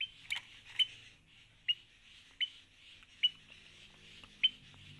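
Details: Adult sooty-headed bulbul giving chick-like calls: short, sharp high chips about seven times in five seconds, over a continuous high-pitched hiss.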